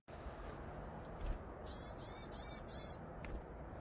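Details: Eurasian nuthatch at sunflower seeds on 17 October 2020, giving four high, clear notes in a quick even series, about three per second, over a steady low rumble of background noise.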